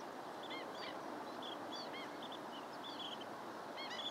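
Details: Several long-billed dowitchers trading sharp, high-pitched peeps, scattered and irregular, with a louder cluster of notes at the end, over continuous broad background noise.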